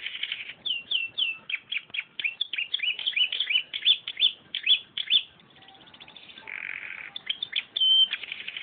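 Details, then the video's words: Canary song with a filled-in style, delivered as fast runs of high chirped and trilled notes, repeated downward sweeps and buzzy bursts, with brief pauses between phrases. "Kenari Isian Cimblek"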